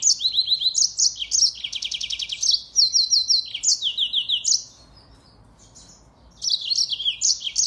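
A yellow-fronted canary sings a fast, bright jumble of high chirps and rattling trills, breaks off for about two seconds, then resumes.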